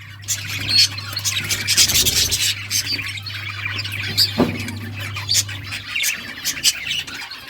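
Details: Captive budgerigars during breeding produce a steady stream of high chirps, squeaks and chatter from many birds at once, over a low constant hum.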